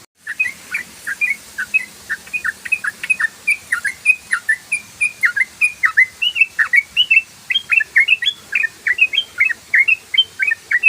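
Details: Yellow-vented bulbul singing in the rapid, continuous ropel style, used as a lure: quick chirped notes, each sliding down then up, repeated about four times a second without pause for eleven seconds, with faint hiss in the background.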